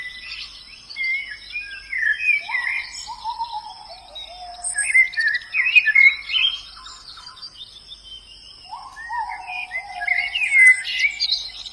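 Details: In the wild, a white-eye gives rapid jumbled high chirps and twitters in two main bursts, mixed with lower sliding whistles, while insects buzz steadily in the background.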